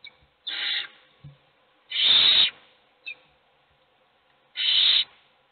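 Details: Hungry owl chicks in a nest box beg with harsh hissed screeches, three main bursts of half a second, plus brief shorter squeaks and soft knocks between them.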